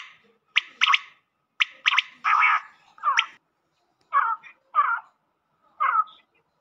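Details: Black francolin sounds mixed to excite the bird quickly: short harsh grating notes with rich overtones, given in bursts of two or three, then lower rasping squawks spaced about a second apart, quiet background.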